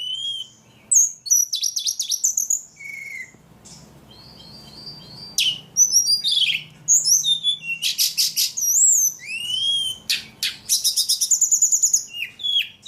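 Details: Long, varied performance by a very vocal ledekan: whistled slurs, harsh buzzy bursts, rapid repeated pips and sweeping notes, mimicry-like in variety, broken by a few short pauses.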